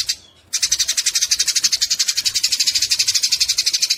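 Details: After a half-second quiet start, Eurasian tree sparrows burst into fierce fighting chatter, a continuous stream of fast, harsh, high notes that holds steady to the end; a tutoring track for songbirds.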